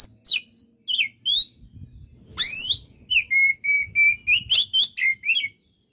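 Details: White-rumped shama (kacer) singing energetically: varied slurred whistles, a fast rising sweep, then a rapid string of short, evenly repeated whistled notes, around three or four per second.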